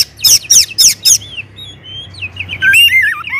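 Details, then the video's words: Oriental magpie-robin's loud provoking song: four harsh chattering bursts about four times a second, soft whistled notes, then a rapid sequence of looping, falling whistles over a low background hum. "kacer gacor ngeplong SUARA KERAS BIKIN KACER Lain NAIK EMOSI,, PANCINGAN KACER AGAR RAJIN BUNYI"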